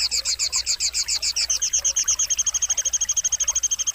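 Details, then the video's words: Sogon, a bird from Pangandaran, singing a rapid series of high, sharp chirps with a lower overtone, slowing early and then speeding into an even, quick trill. "masteran burung sogon solusi burung yang tidak mau bunyi"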